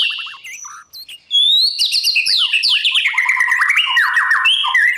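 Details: White-rumped shama practising its song at dawn for competition, beginning with quiet short notes and thin rising whistles, then breaking into a loud fast stream of descending stuttered trills and chattering phrases.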